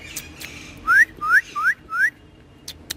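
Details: Green ringneck parrot kept as a pet, having fun on a wall: four clear whistled notes, each sliding sharply upward, spaced about a third of a second apart, in a quiet room with faint clicks.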